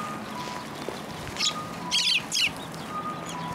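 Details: Sparrows coming to a post to be fed at a Tenmangu shrine in Japan on 22 February 2023: three short, bright, rough chirps in quick succession near the middle, over a faint steady low hum.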